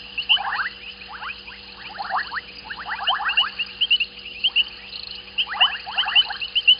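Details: White-faced whistling ducks calling at dusk at Gowrie dam, Djuma Game Reserve, South Africa; clustered bursts of thin whistles with high clear three-note whistles scattered between, about two calls per second.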